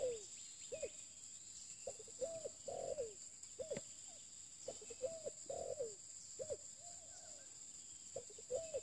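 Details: Spotted dove in a decoy-luring setting with a new bird: low, soft cooing phrases of short notes ending in a longer drawn coo, repeated several times. A steady high whine runs underneath.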